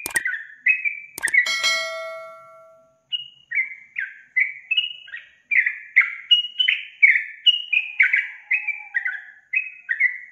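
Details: Sooty-headed bulbul in lively, intense song: a few sharp clicks open, then a steady run of short bubbly, slurred notes, each dipping or rising, repeated roughly twice a second with brief pauses between phrases.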